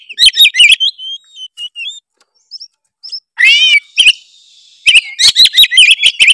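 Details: Oriental magpie-robin, Tretes type, singing a lure song rich in mimicry to provoke other birds; bursts of sharp chips at start and end, sparse soft whistles between, and a harsh buzzy harmonic note in the middle.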